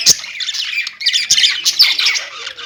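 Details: In a short burst of home-kept budgerigar chatter, rough squawks and fast scratchy chirps pile together, with a sharp click at the start.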